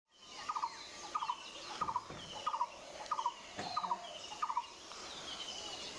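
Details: A black-plumaged, crested White-vented Myna with yellow legs, eyes and beak, feeding on Callistemon shrub seeds, gives a clipped three-note call repeated regularly about every two-thirds of a second, with faint background chatter.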